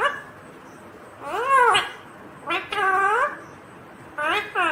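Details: Green Indian ringneck parrot talking in three drawn-out, arched, voice-like utterances, each swelling and falling in pitch for about half a second, with quiet room hiss between.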